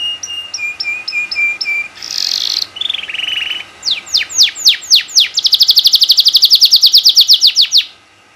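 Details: Singing canary used as a model for other canaries: a row of clear whistled notes, a brief buzzy burst, a lower warble, falling sweeps, then a fast even trill lasting about three seconds.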